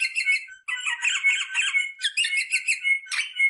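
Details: Rosella sounds for encouraging mating: nearly unbroken buzzy chatter with bright whistled points running through it, pausing once briefly near the start.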